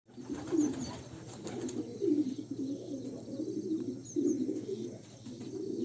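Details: Homing pigeon chicks in a loft, giving low, soft, husky squeaking and cooing notes in uneven bursts, several overlapping, with a steady background hum.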